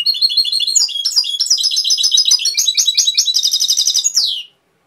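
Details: Goldfinch performing a Cobia Málaga style song, a dense stream of high, liquid chirps and quick trilled phrases, rising into a rapid repeated note series before ending in a short downward slur.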